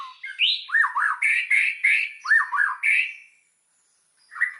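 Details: Lure song of a white-rumped shama, meant to provoke other shamas into full song: a rhythmic series of paired rising-falling whistles with harsh overtones, repeated about three times a second, then a pause and one final note.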